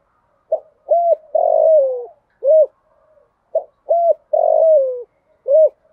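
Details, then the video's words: Spotted dove hen calling to lure males, 'thổ pha' voice with one ending note: two complete phrases of short coo, arched coo, long falling coo and a final rounded note, clear and unaccompanied. "Tiếng cu gáy mồi gáy gọi kích bổi chuẩn Giọng thổ pha, Cu gáy gáy gọi 1 hậu, giọng hạp bổi"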